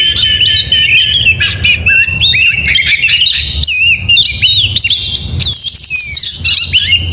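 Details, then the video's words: Oriental magpie-robin's morning song, delivered in continuous gacor fashion: wavering whistles, bubbly warbles and squeaky notes rising toward the end, low hum beneath. "Suara Burung Kacer Di pagi hari GACOR MEWAH"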